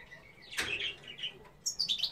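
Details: Female European goldfinch singing: a sharp bright chirp, then a run of high twittering notes toward the end, with thin quieter notes between, against a soft steady background.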